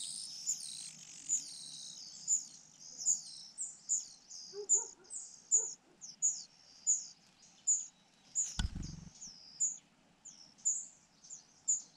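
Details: Rufous-bellied niltava at a nest in Yunnan, China, male active nearby: high, thin chirps repeated about once a second in a steady series, with one brief loud knock midway.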